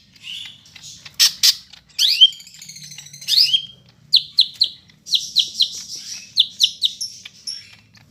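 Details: Greater green leafbird of Medan origin with a dense song, Bandung, Monday 5 September: a few harsh squawky notes and rising sweeps, then a fast run of sharp, repeated downward-slurred chirps at high pitch.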